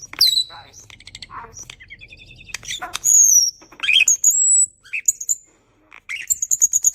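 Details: Loud, varied starling mimicry, sounding human-like: sharp clicks, squeaky whistles sliding up and down, a high sustained whistled note and abrupt bursts separated by short silences.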